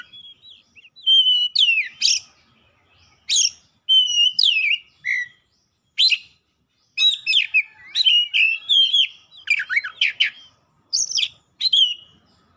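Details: Oriental magpie-robin in energetic, heated song, pouring out its isian fill-in repertoire: a long varied string of whistles, sharp chips and buzzy phrases, delivered in rapid bursts with short gaps.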